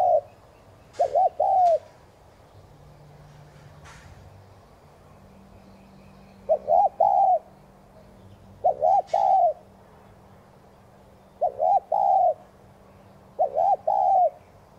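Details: Urging coos of a spotted dove, used to excite newly caught doves into cooing; soft paired phrases, a short bouncing note then a drawn-out even coo, recurring five times with long pauses, faint clicks and a low steady hum behind.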